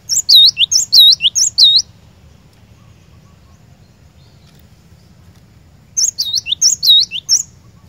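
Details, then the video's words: Cinereous tit (glatik batu) song used as a lure to set a caged bird singing: a burst of about four bright two-part phrases, a high note dropping into a swooping lower whistle, then a four-second pause before another burst, over a low hum. "PANCINGAN BURUNG GLATIK BATU, DIJAMIN GLATIK BATU ANDA LANGSUNG IKUT GACOR NGEROL"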